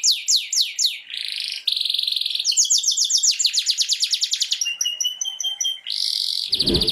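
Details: Canary song for prompting canaries to sing: descending whistled notes, a buzzy tour, rapid rattling trills, then fine high twitters and another buzz, with a brief low thump near the end.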